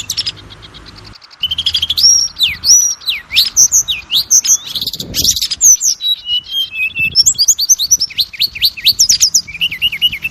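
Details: Oriental magpie-robin, a kept songbird, giving lure song to make others sing: rich run of slurred whistles, sweeping up and down, with fast chattering notes after a quiet opening.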